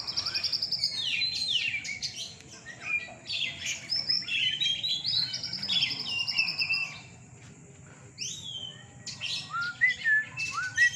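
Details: Oriental magpie-robins singing at a night bird-singing competition in Surabaya, Indonesia; dense overlapping loud whistles, sweeping slurred notes and rapid chattering phrases from several birds, briefly quieter near the end before resuming.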